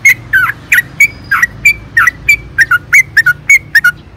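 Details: Sooty-headed bulbul lure song for caged birds: continuous series of bubbly, slurred notes, some rising and some dipping, over a soft low background hiss.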